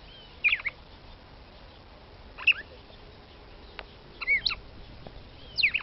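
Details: Red-cowled cardinal female, Paroaria dominicana, calling to stir up a male: four clusters of quick, high, down-slurred chip notes spaced irregularly, with faint background hiss.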